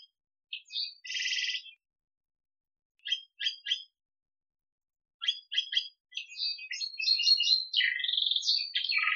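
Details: Male Atlantic canary singing in bursts: a buzzy rasping note, then quick groups of three clipped chips, building into a continuous fast warble of varied trills and rolling phrases. No other sounds.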